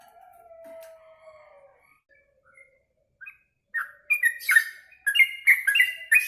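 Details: Yellow-vented bulbul after eating mealworms: a faint drawn-out low whistle, a pause, then a few scattered notes building into rapid bubbly chirping phrases with crisp high clicks during the last seconds.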